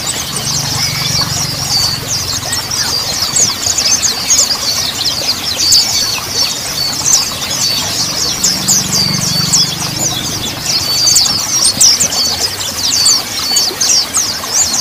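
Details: Several mountain white-eyes give a dense, continuous chatter of high, thin twittering notes over a low engine-like hum, used as lure and therapy sound to get silent birds singing.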